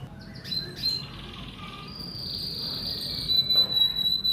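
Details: Indonesian hobby male canary, ready to be matched with a female, delivers quick high chirps, then a long rolling buzzy trill holding steady before shifting to a slightly lower pure whistle.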